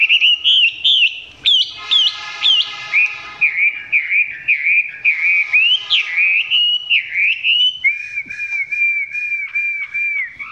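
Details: Close recording of a Chinese hwamei whose song is not yet at its peak; continuous fluid whistling with looping up-and-down notes, ending in a run of repeated, evenly spaced downslurred whistles.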